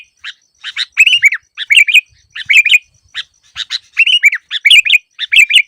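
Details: Sooty-headed bulbul song, a training recording for lure birds that rarely sing: short bubbly, liquid chirped phrases with a bright slurred note, given in quick bursts about every half second against a silent background.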